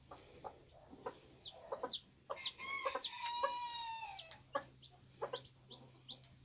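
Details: Bantam chicks hatching from their eggs: sharp, high peeps that slide downward, given in quick irregular runs, with a few longer drawn-out whistled notes in the middle and a faint steady hum underneath.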